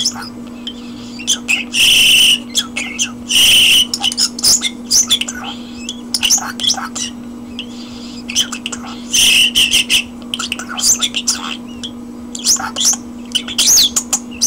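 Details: Indoor common starling giving a long, varied song of loud raspy hissing bursts, scratchy chatter and thin whistles, with quieter gaps between phrases and a constant low hum in the room.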